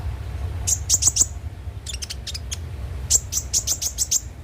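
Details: Konin (kolibri ninja) lure song: clusters of piercing, very high chips given in quick runs of four to six, separated by softer clicks, over a low steady hum.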